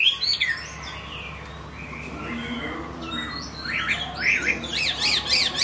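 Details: Chinese hwamei giving a few loud whistled notes at the start, then a quieter stretch, before a burst of fast, high zigzag trills that climbs steadily toward the close.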